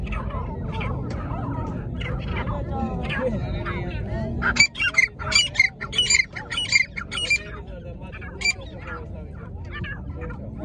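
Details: Dakhni fighter partridge (teetar) calling: after several seconds of people talking, a burst of sharp, high, repeated notes comes roughly twice a second for a few seconds, then fades under continuing speech.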